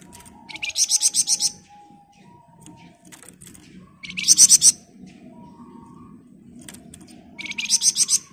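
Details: Flamboyan bird's 'ngebren rapat' song, made as a master for training other birds: three separate bursts of rapidly repeated shrill high notes spaced a few seconds apart, with soft low background noise between them.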